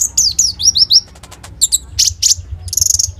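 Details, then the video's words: Common iora (konin) singing loudly, its rapid 'roll tembak' fill used as a lure for sunbirds, smartphone recording; quick sliding high whistles repeated in a row, then sharp chips and a short fast trill at the end. "SUARA BURUNG KONIN GACOR FULL NEMBAK ISIAN ROLL TEMBAK"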